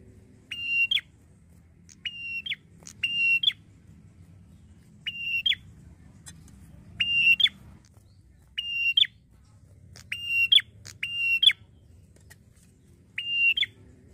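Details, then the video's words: Red-headed prinia giving sharp, high metallic chirps in short bursts about every second over a faint low hum; used as a lure to draw quick responses from other prinias. "PIKAT AMPUH BIKIN PRENJAK LAIN CEPAT RESPON BUNYI || PRENJAK KEPALA MERAH"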